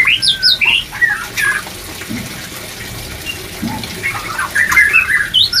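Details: White-rumped shama song meant to raise breeding drive: a burst of bright whistled and looping notes, a quiet pause with faint low knocks, then another flurry of chirpy whistles near the end.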